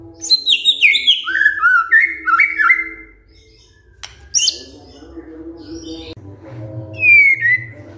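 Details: White-rumped shama answering a lure recording with a quick cascade of descending whistled notes, then a lull with a few harsh bursts and a single clear downslurred whistle; low rumble behind.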